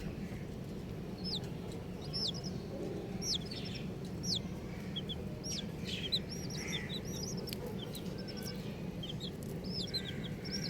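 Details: Many colourful baby chicks chirp continuously: high, sharply falling peeps and short doubled notes scattered throughout, with soft knocks and a constant low hum.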